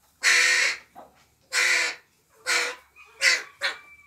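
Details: Juvenile crow begging in an aviary where fellow young crows take over the parent role and feed it; four to five harsh, raspy caws in quick succession, shortening toward the end, with a thin whine.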